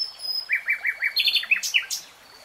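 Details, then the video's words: Singing common nightingale: four rising slurred notes repeated in quick succession, then a jumble of loud sharp chirps and high bursts, over a quiet hiss. "Nightingale Singing"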